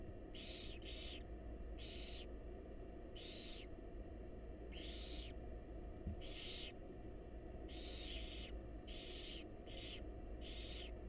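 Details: Barn owl nestlings in a wild, research-monitored nest box beg during feeding by their mother. About ten breathy, rasping hisses come in quick irregular succession, some paired, over a low background hum.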